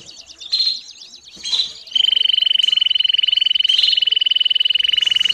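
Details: Canary singing and calling, offered as training for young birds: brief sweeping whistled notes and chirps open the phrase, then a long, rapid, evenly pulsed high trill holds steady from about two seconds to the end.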